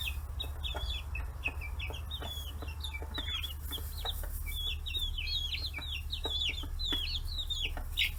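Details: Young chickens, 40 days old, raised free-range in Kitahiroshima, Hiroshima Prefecture, Japan, swarm fish heads; a dense run of short rapid peeps, several per second, with faint taps and a constant low hum.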